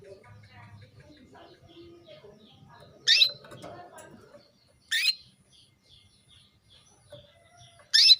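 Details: Female canary summoning a male into breeding mood; three brief bright chirps at irregular gaps, preceded by low rustling and clattering noises.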